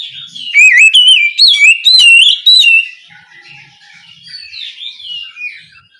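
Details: Oriental magpie-robin calling its companion with a loud string of clear, looping whistled notes over about two seconds, followed by quieter, distant-sounding warbles.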